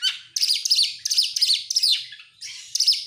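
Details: Oriental magpie-robin singing as a lure for other songbirds, a rapid run of loud, sweeping whistled notes and harsh buzzy elements, several phrases tumbling together within a few seconds.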